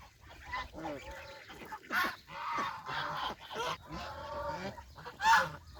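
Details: Adult and baby geese on a small countryside farm, fed fresh green grass by the pond; repeated nasal honks and cackles from several birds, with one sharp loud note near the end.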